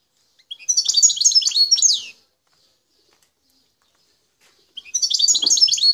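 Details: A wild Algerian goldfinch recorded at Bouteldja, El Tarf, Algeria delivers two bright, rapid twittering phrases about a second and a half long, each ending in a descending slurred note, with silence between.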